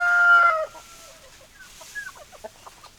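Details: Chicken: a loud, harmonic squawk lasting about half a second opens the recording, then gives way to faint, scattered short clucks and chirps.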